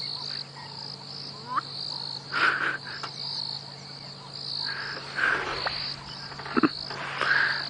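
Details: A male Black-bellied Bustard (Lissotis melanogaster) on an African safari drive at dawn, before sunrise on 28 January 2017, gives a low, croaking call ending in a sharp pop after a long preparation, over a steady high insect buzz.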